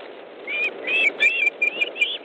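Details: Osprey nest in Estonia, 3 August 2014, 15:30, fish being delivered while another bird arrives. A rapid chain of thin whistled notes, some slurred upward and some flat, comes in quick succession over constant hiss.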